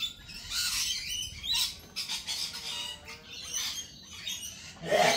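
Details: Lorikeets at a cafe giving harsh, grating squawks and screeches in uneven bursts, several birds calling over one another, ending in a loud raspy shriek.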